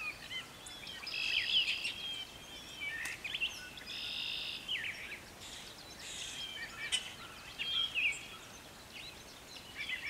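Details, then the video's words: Brown thrasher singing in a garden during spring planting season. A run of varied, fast phrases, some harsh and buzzy, others bright chirps and slurs, given almost continuously with brief pauses. Light background hiss. "A Brown Thrasher Singing in the Garden"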